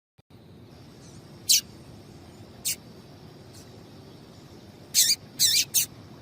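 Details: Female double-collared seedeater calling, used to excite males into singing; isolated short, sharp chips, then a quick cluster of three near the end, over steady low background hiss.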